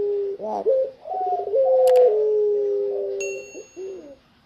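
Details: Tame spotted dove perched outside its cage, giving low drawn-out coos with a rolling, trilled quality, held on near-steady pitch; a single metallic ding rings out partway through.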